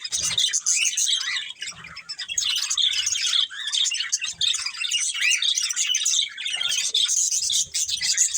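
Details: A family group of budgerigars keeps up busy overlapping chirps and scratchy warbles, a steady high chatter with a few soft low thumps now and then.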